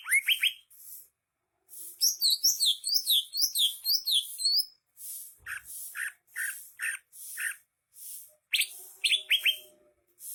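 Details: Greater green leafbird (cucak hijau) in full, vigorous song: sharp rising whistles, then a rapid run of looping, wavering notes, followed by evenly spaced short chirps and a final burst of upward-sweeping whistles.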